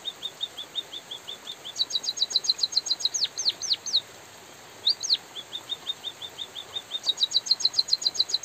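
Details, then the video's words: White-headed munia (bondol haji) in a training recording, singing rapid, regular high chirps that speed into dense trills of down-slurred notes, broken by one brief silence before the trills resume. "suara burung emprit pipit bondol kaji gacor jeda natural dan suara hujan"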